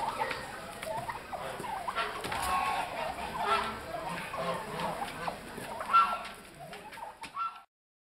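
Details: German black-winged bronze turkey at the Swiss National Poultry Show, Sursee, December 2012, gives rapid rattling gobbles and clucks in bursts with a high squeaky note near the end, over a noisy hall and chatter; Turkey.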